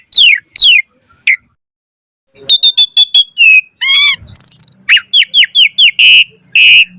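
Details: Asian pied starling pumping (mompa) song with full variation, recorded as a tutor to make birds sing; two falling whistles, a pause, then a rapid series of clear repeated notes and harsh buzzy syllables.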